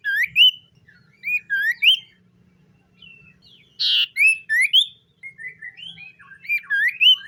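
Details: Captive common iora in morning song: bright upslurred whistles repeated in pairs and triplets, with a brief harsh buzzy note in the middle.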